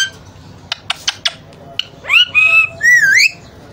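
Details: Playing pet Alexandrine parakeet: a few sharp clicks, then three loud, drawn-out whistled notes, the first rising, the second level, the last dipping and then climbing.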